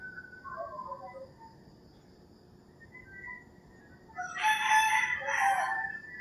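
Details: Roosters crowing early in the morning in rural Philippines, with faint distant crows first, then a close, loud, two-part crow with a strained, rasping quality.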